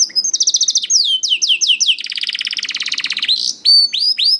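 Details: Juvenile canary song used to coax silent canaries into singing, a run of sweeping down-slurred whistles followed by a fast dry trill and bright upward-curving notes, loud and clear.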